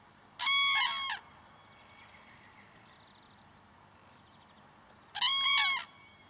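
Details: Common cranes (Grus grus) in early morning, adults with a juvenile that follows its parents, give two loud, rolling trumpeted bugles, each under a second and about four seconds apart, with faint distant calls between.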